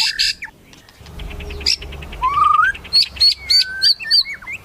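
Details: White-rumped shama's melodious song: a long rising whistle followed by several short clear high notes spaced evenly, over faint low background noise.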